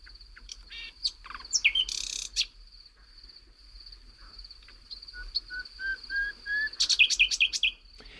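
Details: Common nightingale singing at night, varied phrases: sharp chirps, a loud buzzy burst, then rising pure whistled notes ending in rapid trills, over faint high hiss; recorded some years ago at Navas de Riofrío, Segovia, Spain.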